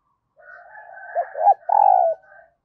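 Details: Early-morning decoy spotted dove calling to draw in wild birds; a low purring run leads to two short bent coos and one sustained, full-throated coo, then a soft trailing murmur.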